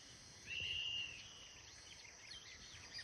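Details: Red-breasted meadowlark (Leistes militaris) at Porce, Antioquia, Colombia, 7 April 2023, gives one drawn-out, buzzy, slightly rising note of about half a second; faint high chips follow over steady background hiss.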